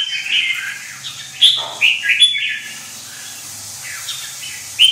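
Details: Red-whiskered bulbul with white wing feathers, described as fired up: short warbled, whistled phrases around the middle-high range, given in uneven bursts with quiet gaps, one sharp high note near the end.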